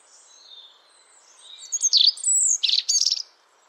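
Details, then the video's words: European robin song beginning with soft, distant high whistles, then growing into loud, crisp bursts of rapid, metallic trilled notes and sharp slurred whistles over about two seconds, then silence. "European Robin · Erithacus rubecula singing"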